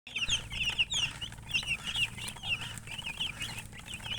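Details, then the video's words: Baby chicks peeping in a steady chorus, many high thin chirps overlapping, each a short bright note, some rising, some falling, with a low hum underneath throughout. "Baby "Chicks Chirping" Sound"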